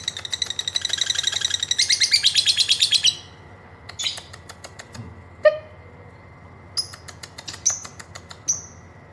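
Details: Lovebird giving a long ngekek trill, used to stimulate other birds to sing: a rapid, high, buzzy chattering trill for about three seconds, followed by scattered sharp high chirps and clicks.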